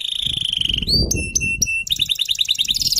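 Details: FFYS canary giving a long steady low trill, then sharp isolated whistled pips and a rising slur, ending in quick repeated chirps, with a burst of low rumbling noise in the background.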